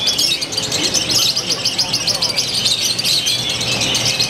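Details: Lovebird from Purwakarta, Indonesia, singing in a new, eccentric style with ever tighter pauses: a dense, unbroken stream of shrill, rapid chattering notes high in pitch, over a murmur of voices and background noise.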